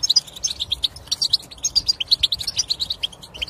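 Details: European goldfinch song played to encourage a silent goldfinch to sing: rapid tinkling, twittering notes high in pitch, delivered in quick runs with brief liquid trills.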